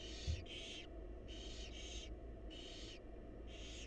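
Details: Barn owl young begging as the mother brings food to a wild nest box; paired rasping hisses in quick succession, broad and noisy, several bursts within four seconds above a constant low background hum.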